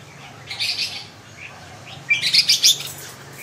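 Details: Red-whiskered bulbul giving two short bursts of bright, chirpy notes: a brief warbled phrase, then a quick run of four or five loud, sharp syllables, over a low steady background hum.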